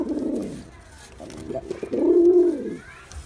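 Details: Girabaj pigeon, male, in performance, uttering a soft opening coo followed by a stronger, smooth, arching coo with a steady low tone.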